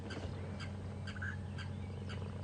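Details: Blacksmith lapwings (blacksmith plovers) at twin dams on a morning safari drive at Djuma and Arathusa, 25 November 2014, give sharp metallic tink notes, about two a second, over a steady low vehicle engine rumble.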